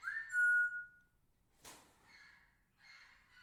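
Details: Female Indian ringneck parrot kept indoors, playing with her favourite toy: one clear, steady whistled note lasting about a second, then a sharp click and softer, fainter notes.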